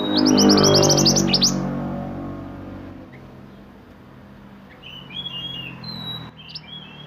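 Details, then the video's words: Sunbird singing in the lively roll nembak style used for tutoring songbirds: a fast run of high, sharp chirps in the first two seconds. Then quiet, with scattered thin high notes later and a low rumble underneath. "Burung mantenan gacor roll nembak untuk masteran"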